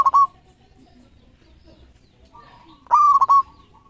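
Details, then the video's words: Zebra dove of a local strain singing as a lure tutor: a cut-off trilled phrase at the start, quiet pause, then one loud rolling coo phrase of a sharp onset and three quick pulses. "Perkutut Lokal Gacor Ekor 13 Juaranya Masteran Pikat"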